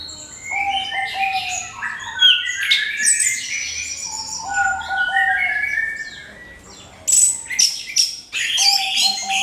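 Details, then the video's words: Orange-headed thrush in crystal-clear song used as a lure to make other birds sing: a rich run of varied whistled and trilled phrases, high and shifting, with a brief lull near the middle before loud sharp notes resume. "SUARA MENGKRISTAL ANIS KEMBANG PANCINGAN"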